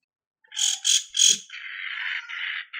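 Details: Long-tailed shrike of the cendet matahari type singing loudly as a lure for other birds: three harsh scratchy notes followed by a sustained, rapid, buzzy chatter.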